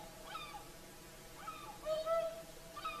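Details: Whooper swans at Lake Saimaa, Finland, singing at sunset; several faint trumpeting calls, then a louder, longer honk in the middle, more distant calls following.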